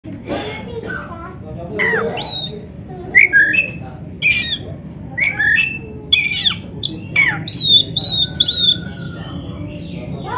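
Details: Oriental magpie-robin, black-breasted type, kept as a caged songbird, singing loudly with sharp whistled and harsh squawky notes in short bursts every half second or so, some slurred rising phrases, over a steady low hum.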